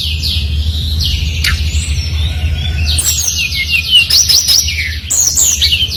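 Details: Lure recording of a brown-chested jungle flycatcher singing vigorously: soft sliding whistles at first, then a busy tumble of high twittering and rapid downslurred notes, a steady low hum throughout.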